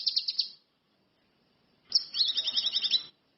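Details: Orange-headed thrush in lively song: a short high chattering trill, a second of silence, then a longer trill with a lower stuttering line of quick notes running beneath the high buzzy pulses.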